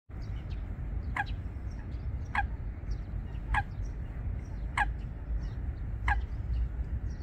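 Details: Eurasian coot pair building a nest among water plants at Wangsong Lake: five sharp, short, piercing call notes, one about every 1.2 seconds, over a low steady rumble with faint high chirps from small birds.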